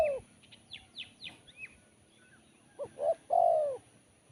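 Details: Spotted dove with a sharp, crisp voice. The clip opens with the tail of a coo, then a series of high descending chirps from another small bird, then the dove's two short notes and a long falling coo.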